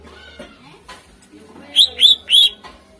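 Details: Greater green leafbird used as a lure for contest birds: three loud upslurred whistles near the end, preceded by soft chatter and faint murmurs.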